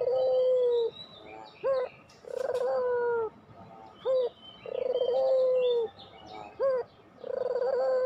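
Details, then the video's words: Pelung-style cooing of a puter dove, a lure for getting lazy birds to sing: three long, level, low coos, each answered by a quick rising note, repeated in a steady rhythm over distant chirps. "masteran puter pelung"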